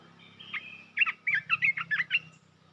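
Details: Red-whiskered bulbul, a kept cage bird, singing in the rapid 'poet dok' style: a quick run of about seven warbled, chirping notes that bend up and down over roughly 1.5 seconds, with a steady low hum beneath.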